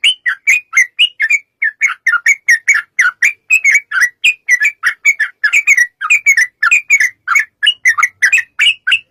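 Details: Yellow-vented bulbul in long, rapid fighting-style song used as a lure so other bulbuls answer: bubbly, slurred whistled notes packed several per second in an unbroken run, each note dipping and rising, no other sounds.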